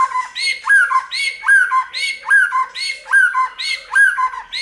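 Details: White-rumped shama song meant to prompt birds to sing: a loud slurred whistle phrase looped rhythmically, about six repetitions in quick succession, each with a sharp upward flick.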